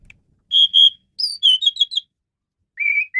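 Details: Asian pied starling singing, a tutor recording for training songbirds: clear steady whistles near 3.5k, then a quick run of descending and rising whistled notes, a pause, and a final slurred whistle that falls away.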